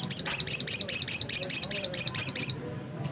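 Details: Black-capped white-eye singing energetically, a rapid, evenly paced string of about twelve shrill, slurred high chirps, roughly five per second, then a pause and one more note.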